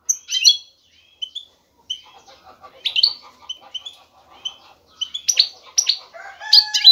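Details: Male European goldfinch seeking a female for mating. Scattered high chirps and short twitters, with a soft lower chatter in the middle and a denser tinkling flourish near the end.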